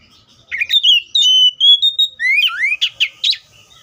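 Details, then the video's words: Oriental magpie-robin song, a single lively phrase of pure steady whistles followed by two upward-sweeping slurs and a burst of sharp, scratchy chips, against a quiet background. "THE BIRD COPSYCHUS SAUCARIS VOICES MUCH LONG LIKE IN NATURE!"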